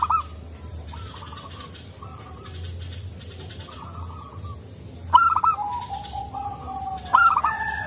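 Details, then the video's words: Actively singing local zebra dove with a soft voice; distant doves give gentle repeated short coos, then two strong bursts of quick staccato notes trailing into drawn-out coos in the final seconds. "Perkutut lokal gacor suara empuk"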